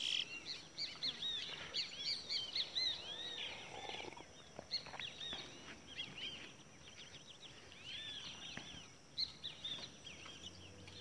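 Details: Caged towa towa seed finches singing in a bird race, a song contest: dense, overlapping high warbled and whistled phrases, rapid slurred notes repeating several times a second, with a steady faint hum beneath.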